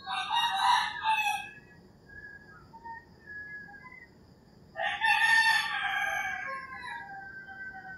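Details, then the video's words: Roosters crowing at early morning in the rural Philippines countryside, one harsh crow fading at the start, soft bird whistles in between, then a second loud, rough crow held for about three seconds. "Crowing Roosters"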